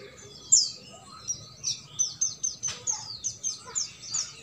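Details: Sogok ontong trotol song for rousing a sogon that will not sing: a steady series of short, high, downslurred chirps repeated about every quarter second over a faint hum.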